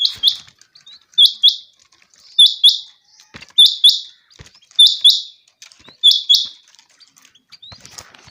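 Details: A common quail calls in a summer meadow, giving its liquid three-note 'wet-my-lips' phrase, high and clipped, repeated about every 1.2 seconds; otherwise quiet.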